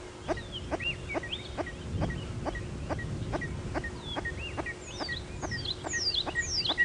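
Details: Male red-crested korhaans at sunrise on 9 November 2016 on a live safari drive near Djuma Game Reserve. They take turns calling while running and sitting down in display, possibly with no female present. Sharp clicks repeat about every half second, followed by rising whistled notes, with faint background hum.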